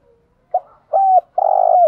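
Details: Spotted dove in 'thúc gù' lure style, used to draw wild doves into calling back: a brief soft note, a clipped steady coo, then a long burred coo sliding down at the end.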